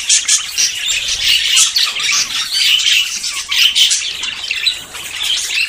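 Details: Courting budgerigars close to breeding fill the air with busy, overlapping warbles and high chirps, rising into louder bursts near the start and again around four seconds.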